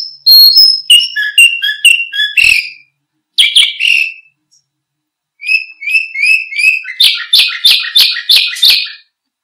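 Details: Canary singing to tutor and attract other birds: varied high whistled notes and trills in bursts separated by short pauses, closing with a fast run of loud, buzzy repeated chirps.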